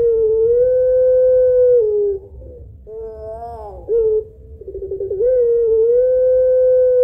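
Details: Puter pelung Barbary dove lure in the long-voice, two-note kuwok style: a sustained low hum that drops, a higher arched note, a quick stuttering pulsed run, then another long even tone.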